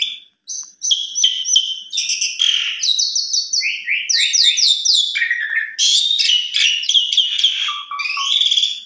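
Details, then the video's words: An Asian pied starling used as an afternoon lure and song tutor for young birds pours out a varied song of bright whistles, harsh chatters and squeaky slurred notes, changing phrases every second or so, with no other sounds. "Jalak Suren Bongkar Isian Cocok Buat Masteran Jalak Suren Masih Muda"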